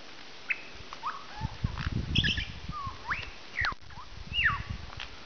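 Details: Lyrebird in the wild about an hour from Melbourne, Australia, giving mimicked vocalisations that include piglet squeals and wild pig snorts; scattered whistled upward and downward sweeping notes over low grunting pulses around the middle.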